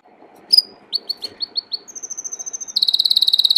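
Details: Belgian canary, a domestic canary, singing: a sharp high note, then a series of five descending slurred chirps, a long even trill, and a fast bright rattling trill at the end, repeated roughly three per second.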